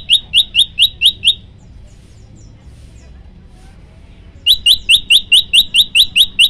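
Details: Prenjak lumut prinia, tutor song: two rapid volleys of upslurred, ringing high chips, six then nine notes, split by a roughly three-second quiet gap with faint background sounds.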